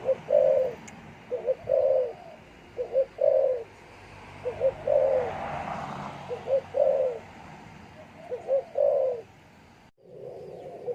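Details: A caged male spotted dove in a breeding cage near its female, with chicks about to leave the nest, crows alone in a plain call: low, soft cooing, a string of short hooting phrases, some paired, about every second, over a faint hum.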